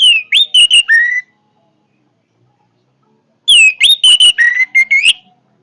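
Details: Orange-headed thrush singing strongly in two bursts about two seconds apart, each a quick chain of clear, rising and falling whistles, the second ending in a steady, lower whistled run.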